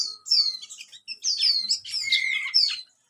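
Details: Juvenile bar-winged prinia aged 30 days giving ngeriwik twittering in rapid bursts: a dense, almost unbroken run of high, sharp chirps and short whistled slurs lasting nearly three seconds.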